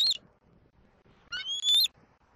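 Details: In Southwest Florida, a young bald eagle squees at its mother from the nest on an April 2024 afternoon, giving a brief squeal and then a longer, piercing whistled squeal that climbs slightly, with a quiet rumble between them.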